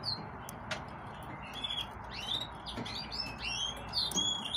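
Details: Yellow-fronted canary giving a soft, continuous series of high thin whistled notes and slurs, fairly faint against a hissy background.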